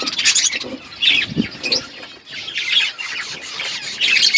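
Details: Flock of budgerigars in an outdoor aviary, a steady mass of high, scratchy chirps and warbles from many birds overlapping without pause, with brief low thumps and rustles beneath.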